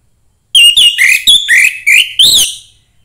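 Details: Young orange-headed thrush from the forest, song played to spur other thrushes: a string of six or seven loud, clear whistled notes, some sliding up and others dropping, delivered in quick succession over about two seconds.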